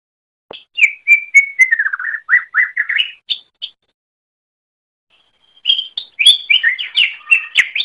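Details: Greater green leafbird song recorded as training material for other songbirds: a run of rapid whistled and chattering notes, falling then rising, a pause of about two seconds, then a louder burst of varied sweet, high whistles.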